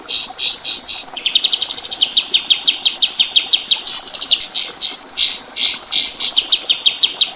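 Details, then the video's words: Kapas tembak white-eye masteran song: fast, even series of bright high chirps, several about three per second, with short rising trill-like bursts and sharper upper notes between them; no other clear sounds. "Masteran Burung Kapas Tembak"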